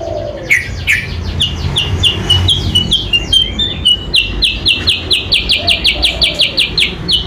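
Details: Sooty-headed bulbul (kutilang sutra) lure call meant to draw rivals closer. Rapid series of short, bright, downslurred chirps that speed into an even, steady run of about three or four notes a second, with faint lower whistles behind.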